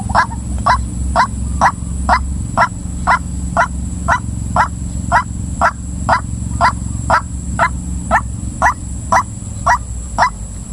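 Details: Steady, insistent calling of a female white-breasted waterhen: loud, hoarse notes repeated evenly about twice a second for over ten seconds, above a continuous high hum and low rumble.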